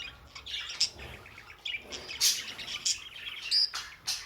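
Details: Pet budgerigars calling in quick, high, scratchy chirps and short warbles, a few sharp clicks and one clear whistled note, uneven bursts of chatter from more than one bird.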